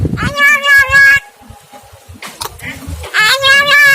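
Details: Javan myna singing actively: drawn-out, wavering, harmonic-rich notes with a nasal, wheezy tone, one long note at the start and another near the end, a brief squeak between them, over low background rumble.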